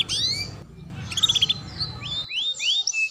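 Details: Canary song used to train and prompt young to adult canaries: bright whistled slurs, a rapid pulsing trill, then loud rising and falling whistles, with abrupt edited cuts between the sections.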